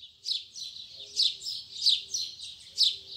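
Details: Morning song of a double-collared seedeater in the Braddock style: bright high chirping notes repeated roughly every half second, with a faint low hum underneath throughout.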